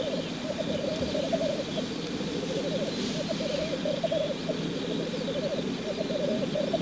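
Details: Black grouse cocks in courtship display at the lek. Steady, rolling, dove-like bubbling pours on without a break, with overlapping phrases rising and dipping, over a soft outdoor hiss.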